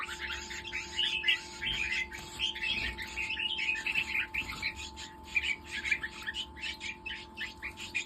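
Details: Red-whiskered bulbuls of a hybrid line in Nakhon Si Thammarat, Thailand, chatter continuously: dense, overlapping bright chirps and warbles from several birds, with a constant mechanical hum beneath.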